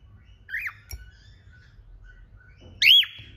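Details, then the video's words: Pet cockatiel of an indoor pair makes two clear arched whistles, a softer one followed after two seconds by a louder, higher note that holds briefly as it ends. "Beautiful cocktail with beautiful singing"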